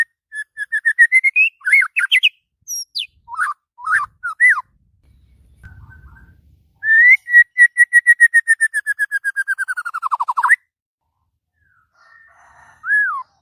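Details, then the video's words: White-rumped shama singing in the morning, worked up and in full voice: long runs of rapid, evenly repeated whistled notes around mid pitch, some rising then falling, with pauses between phrases and a faint low rumble in one gap. "SUARA MURAI BATU KICAU MANIA PAGI NAIK EMOSI OVER GACOR"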